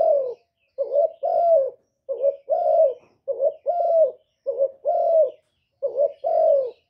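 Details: Repeated spotted dove coo, six two-note phrases in seven seconds: a quick wavering hoot then a longer, smooth, slightly descending croo, delivered in a steady rhythm against a silent background.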